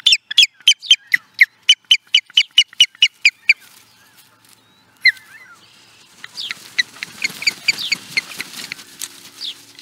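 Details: Osprey at Charlo, Montana, USA, recorded in 2017, giving a rapid run of about thirteen short, high chirps in under four seconds, then a lone call followed by busier, noisier chirping.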